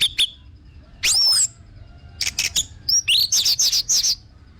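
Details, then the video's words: Lure recording of an orange-headed thrush: a brief note, then a loud rising-and-falling slurred whistle, a few scratchy strokes, and a fast run of bright descending chirps. "BAGUS UNTUK PANCINGAN BURUNG ANIS MERAH BIAR TELER DAN GACOR"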